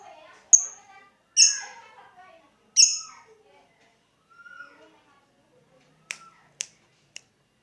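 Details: Lovebird giving its ngetik ticking call, meant to draw out the ngekek chatter. Three loud, harsh, descending squeaks are followed by a few soft notes and then sharp isolated ticks, with the background otherwise quiet.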